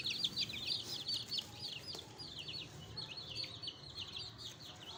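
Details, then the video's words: Newly added pet chicks cheeping in a busy chorus of sharp high chirps, roughly three per second and unevenly spaced, over faint low rumble. "Naughty Chicks 7 || Pets || hen NEW ADDITION IN FRESH CHICKS || FRESH CHICKS || Naughty Chicken"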